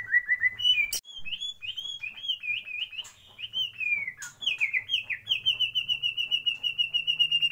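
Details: {'caption': 'Captive white-rumped shama in a breeding aviary delivering varied whistled phrases, rising and warbling, with a sharp click and ending in a long even trill of rapid high notes; faint low hum behind.'}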